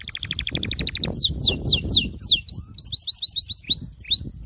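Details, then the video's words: Syrian canary song opening with an even, rapid pulsed trill, then tumbling chopped downslurs and bright upward-hooked whistles, with a low rumble underneath. "تغريد كناري السوري"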